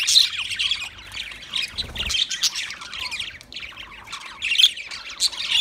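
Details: Budgerigar, Australian parrot, in loud continuous warbling chatter: rapid high squeaky and buzzy notes in dense phrases, with a short soft pause near the middle.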